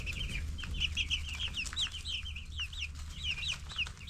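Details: Ten-day-old broiler chicks in a flock, chirping: dense, overlapping high peeps, many short, rising-then-falling notes tumbling over each other, with a steady low hum underneath.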